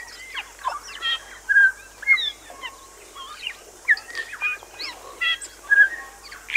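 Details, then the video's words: Continuous bellbird song recorded on Little Barrier Island, New Zealand: a dense, varied stream of bell-like whistles, short slurs and sharp chimes, repeated phrases rising and falling, with background hiss throughout. "Bellbird. Song. Little Barrier Island, New Zealand"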